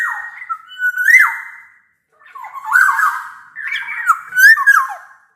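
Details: Black-naped oriole singing vigorously, a recording meant to prompt lazy orioles to sing; two loud, liquid flute-like phrases with swooping, bending whistles and harsher edges, separated by a short pause.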